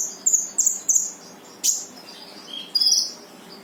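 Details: Brown-throated sunbird song used to coax a quiet bird into singing: quick high chirped phrases in rapid succession, one sharp downward-sweeping note, then a thin rising twitter, over a low steady hiss.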